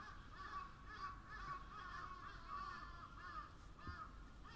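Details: Crows cawing in a crowded chorus, hoarse overlapping calls running together at about two per second, with a brief low thump near the end and background rumble.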